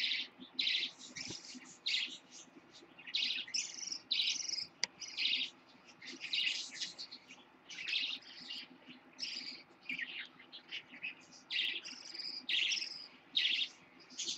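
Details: A lutino baby parakeet, hatched 26 October 2015 and kept as a pet, gives harsh, raspy chirps in short bursts of roughly half a second, repeating about every second with brief quiet gaps between them.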